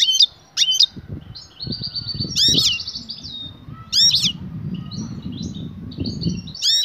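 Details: An excited female European goldfinch calls for a male to mate, a call type named batbata. Sharp high chirps recur every one to two seconds between rapid, buzzy trilled notes, with soft low thumps and rustling beneath.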